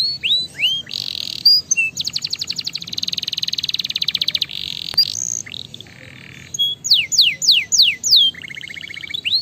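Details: Canary song used to stimulate other canaries: high whistled downslurs, a buzzy steady tour, a long fast rattling trill, then a series of rising sweeps and a brief chattering trill.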